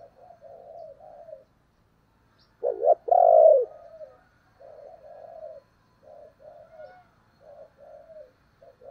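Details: Decoy spotted dove luring wild doves: soft, low, wavering murmured coos run through the recording, broken once by a loud double note and a long, strong coo.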